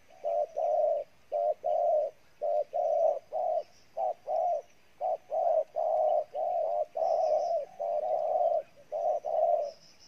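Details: Spotted dove (Spilopelia chinensis), a wild-caught bird, cooing steadily with soft, low hooting notes in quick runs of two or three, about twenty in ten seconds, over a faint high hiss.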